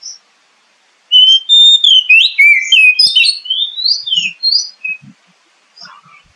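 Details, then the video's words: Oriental magpie-robin song played to lure a kept bird into singing: a sustained stream of melodious whistled notes, slurred slides and high twitters for about four seconds, then faint scattered calls. "SUARA PANCINGAN BURUNG KACER AGAR CEPAT BUNYI DAN GACOR"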